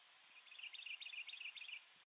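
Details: A Juniper titmouse (Baeolophus ridgwayi) singing at Brush Hollow Reservoir, Colorado, March 2, 2019: about seven high, slurred double notes, about five per second, over soft hiss.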